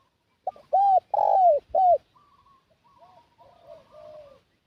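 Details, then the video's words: Spotted dove decoy call luring wild doves: a close, loud burst of short arched coos and a longer falling coo, followed by fainter coos from farther doves. "Suara Pikat Burung Tekukur"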